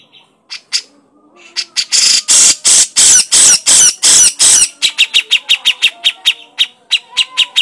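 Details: A grey-cheeked bulbul chatters crecetan-style, starting with a few isolated chips, then a long series of loud, harsh, rasping bursts, ending in a rapid, even train of short sharp chips.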